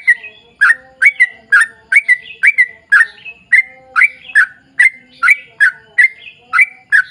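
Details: Sooty-headed bulbul pouring out a long ropel song meant to set other bulbuls singing: crisp, down-slurred chirps repeated steadily, about two per second, some in close pairs, with faint soft tones underneath.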